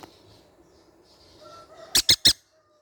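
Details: After a hushed background, a baby green-cheeked conure parrot bursts out with three rapid harsh squawks in quick succession.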